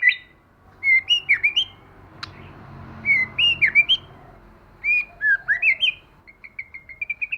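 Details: Lure recording of white-rumped shamas, male and female, in forest-style voice: three groups of clear bouncing whistled notes about two seconds apart, ending in a quick even series of short notes, over a low background hum.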